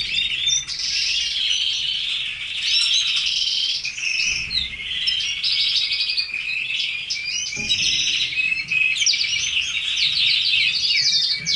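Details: A long, unbroken stretch of song from several red canaries kept as pets: dense, rattling trills layered with high twitters and chirps, sustained loudly throughout.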